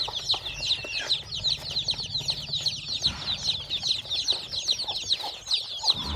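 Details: A brood of chicks hatching under a hen at a farm peep continuously, with shrill, quick descending whistles crowding together, joined by a short rustling sound near the end.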